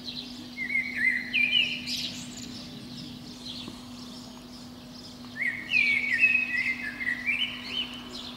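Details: Eurasian blackbird, a protected species, singing at dawn in spring from a pine top under a window; two mellow warbling phrases ending in high scratchy twitters, separated by a few quiet seconds with a faint steady hum throughout.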